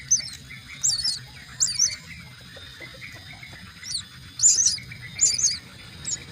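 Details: Myna chicks being fed at the nest give high, scratchy begging chirps in short bursts, roughly one every second, over a faint low background hum.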